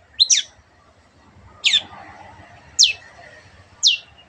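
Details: Cendet, or Long-tailed shrike, on a master recording for other cage birds to copy. Four sharp, harsh downslurred notes come about once a second over a hissy, humming background.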